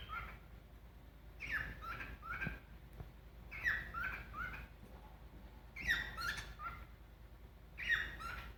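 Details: A pet cockatiel sings while on a bed, whistling short phrases of clear, sliding notes, repeating every two seconds or so.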